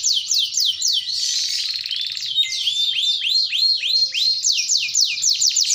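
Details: Active Panda canary delivering long rolling song: chains of downward-slurring whistles, a brief rattling trill, then rapid looping upswept notes repeated several times a second. Clean, with no background sounds.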